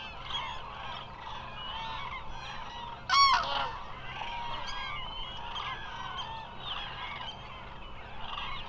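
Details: Eurasian cranes at the Hula Nature Reserve, Israel, during migration, a large flock calling together in a dense chorus of overlapping bugling and trumpeting notes, with one loud, clear rising call standing out near the middle.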